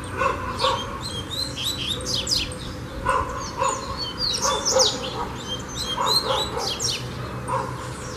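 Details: Captive double-collared seedeater (coleiro) singing during a song session that turns into 'fibra' training: a fast, high, twittering run of sweeping chirps and trills, with lower barking notes breaking in every second or so.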